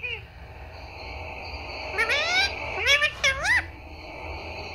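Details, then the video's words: Pet parrot talking, trained to say "Papa" and "Mummy"; a few loud, sliding, voice-like calls with rising and falling tones come in a quick burst after a quiet start. "mitthu talking Mummy Papa"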